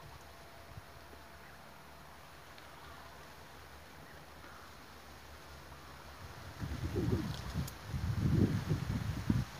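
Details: Low wind rumble and microphone buffeting that grow louder toward the end, with no animal call.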